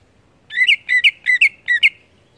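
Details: Greater green leafbird in strong, lively song: four quick paired whistled notes, each a clear rising slur then a higher accent, evenly spaced about every 0.4 seconds, clean with little background.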